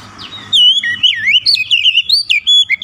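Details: White-rumped shama singing as a lure to provoke other shamas: after a soft, noisy opening, a clear run of loud fluting whistles with rising and falling slurs, quick and broken into short phrases.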